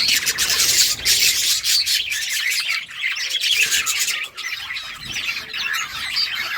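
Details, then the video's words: Many brightly coloured budgies at play, rapid stream of scratchy chirps and squawks overlapping densely, busy chatter with brief dips in loudness. "budgies beautiful colors playing and chirping sounds"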